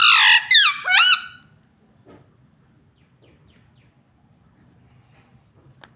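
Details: A pet rose-ringed (ringneck) parakeet gives three quick, harsh, nasal utterances in about a second, imitating the word "mummy", then falls quiet.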